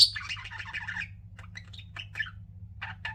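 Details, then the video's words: Pet budgerigars indoors: a sharp squawk opens a brief warbled chatter, followed by scattered single chirps spaced a fraction of a second apart, with a constant low hum behind. "CUTE PET BUDGIES CHIRPING"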